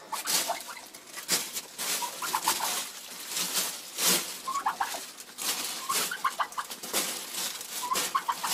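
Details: Frustrated broody Bronze turkey hen in February, giving short, clipped, tonal yelps in loose bursts, some rising, set against frequent loud broadband clatter and scraping noises.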